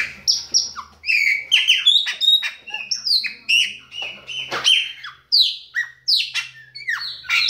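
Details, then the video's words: Rapid chopi blackbird song of many short whistled notes, sharply rising and falling slurs and buzzy accents, repeated in quick succession with brief gaps, varied and musical throughout. "BAIANINHO PÁSSARO PRETO SHOW"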